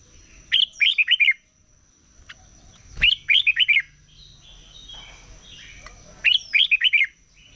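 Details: Red-whiskered bulbul in morning competition singing, used for voice training: three short bright phrases of four or five quick warbled, looping notes, about three seconds apart, over a faint steady high electrical whine.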